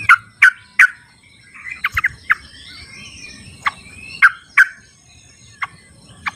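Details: Sooty-headed bulbul calling in its wild habitat, used as a lure for birds that stay silent: loud, abrupt, downward-sweeping notes repeated in quick threes, then spaced singles, among softer twittering from other birds.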